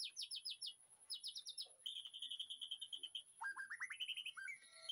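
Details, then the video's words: Master song of a white-rumped shama in a backyard aviary, recorded in the afternoon for training: quick runs of bright descending notes, then a sustained buzzy trill, then rising slurred whistles climbing in a series. "MASTERAN MURAI BATU"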